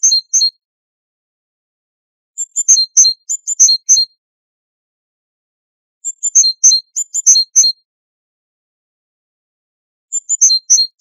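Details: Great tit singing, its voice compared to striking metal. Short strophes of rapid, very high piercing notes repeated roughly every three to four seconds with silent gaps.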